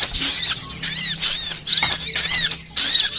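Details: Lure call for catching sunbirds of every kind: thin, piercing chirps and curved squeaky notes in quick overlapping bursts, separated by brief dips.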